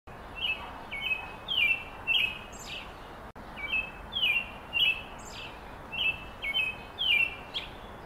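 A robin sings short, clear whistled phrases at a fairly high pitch, several per second-and-a-half, over a steady soft hiss.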